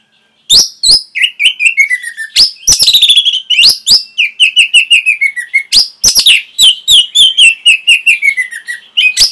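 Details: Caged Orange-headed thrush song played as a training recording: a continuous, lively stream of sharp high chirps mixed with descending warbled phrases, with many notes each second and no pauses.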